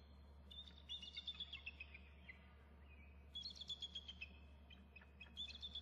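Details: Adult eagle at the nest flapping and calling while its mate also calls, a third eagle heard nearby; thin, high chirping notes in quick stuttering bursts, two runs about two seconds apart, over a steady low hum.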